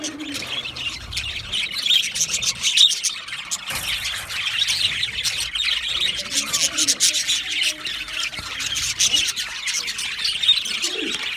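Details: Australian budgie parrots keeping up constant, scratchy chattering and chirping, with sharp clicks, a few clear whistled pips and a faint rubbing sound.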